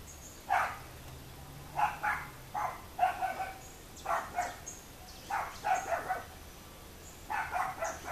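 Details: Boat-billed flycatcher filmed in the hamlet of Miraflores, Barinitas, Barinas, Venezuela, giving harsh, nasal, rattling notes in bursts of two or three, about once a second; faint high chips from other birds behind.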